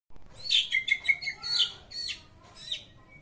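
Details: White-rumped shama giving an unusual song: a rapid string of clear whistled notes and sharp chirps, rising and falling, with short buzzy bursts near the end.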